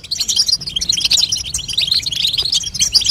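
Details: Female European goldfinch calling to get a young goldfinch singing, with rapid, thin twittering chirps and bright trills packed tightly throughout.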